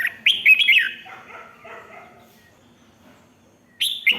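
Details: Red-whiskered bulbul song, called ริก (rik) in Thai, played to excite other birds: a rapid burst of bright, slurred whistled notes, then a long quiet stretch before another short loud whistled phrase at the end.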